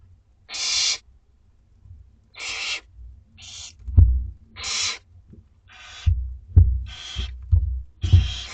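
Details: Two-week-old barn owlets in a school garden at dinner time, as prey is eaten, give harsh, breathy hissing screeches, each about half a second, repeated several times with a few low thumps and knocks between.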